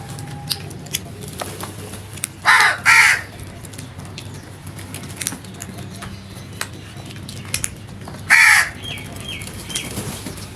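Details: Loud natural crow calls: a rasping double caw, a pause of several seconds, then one more harsh caw, with faint ticking and a low hum in the background.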